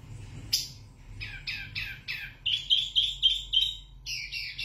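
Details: A wambi mini (zebra finch) sings loudly for tutoring other birds: a sharp high note, then a series of short downslurred buzzy chips and bright repeated whistles, over a steady low background hum.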